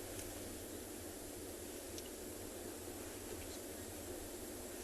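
Steady broadband hiss with a low hum beneath it, recorded during a sunset safari broadcast, with no clear animal calls.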